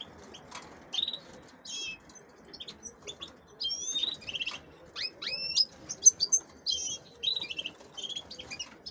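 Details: Female canaries kept for hybridising with goldfinches give high, thin chirps and short trilled notes. The notes come in scattered bursts over a steady low background rustle and hum.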